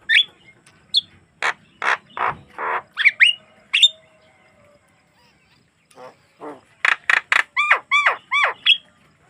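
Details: Javan myna song, clean natural recording meant to prompt other mynas to sing: squeaky whistles and harsh rasping notes, a pause, then a fast series of clicks and repeated hooked, upslurred chirps.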